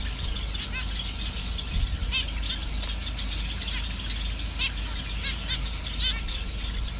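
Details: Captive zebra finch pairs give short, nasal, toy-trumpet calls against a steady low rumble.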